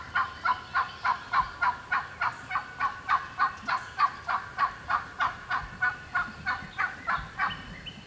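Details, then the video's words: Wild hen turkey, alone, in Georgia turkey woods, sounding off and getting fired up; a long run of about twenty evenly spaced raspy yelps, roughly three per second, steady and loud throughout. "Hear that old hen yelping and cutting and clucking like that."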